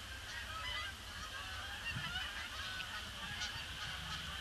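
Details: Flock of Canada geese circling a pond before landing on a gloomy grey Boxing Day, giving dense, overlapping nasal honks throughout, with a steady low rumble beneath.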